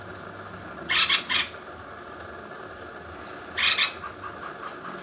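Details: An acorn woodpecker at San Gerardo de Dota, Costa Rica, gives harsh, raspy squawks: a quick pair, then one more after a pause, with faint thin whistles of other birds behind.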